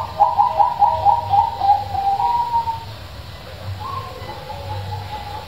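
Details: Zebra dove with a big voice, used to prompt lazy doves to sing: a quick stuttering run of trilled coos ending in a drawn-out note, then softer sustained cooing over a low hum.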